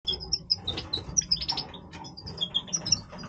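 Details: European goldfinch of the Major form giving its breeding voice: short bright twittering notes, scattered high tinkling chirps over a faint low background hum.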